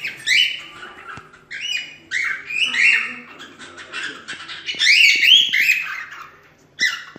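A cockatiel gives loud, rising, slightly warbling whistled calls in bursts about every second, with a faint room echo behind.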